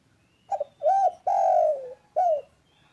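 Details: Spotted dove, described as loud yet calm, cooing: a short stuttered double note, then a rounded rising-falling coo, a long drawn-out coo sliding gently downward, and a final shorter coo, all low and mellow over a quiet background.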